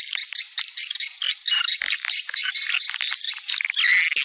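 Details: Swiftlet calling sound used to attract swiftlets, a type popular in Sumatra: dense, buzzy, high twittering chirps run almost without pause, with brief whistled notes threaded through.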